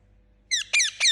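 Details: A pet Indian ringneck parakeet gives three quick, harsh, high chirps in about half a second, each sliding downward. Otherwise quiet apart from a faint low hum.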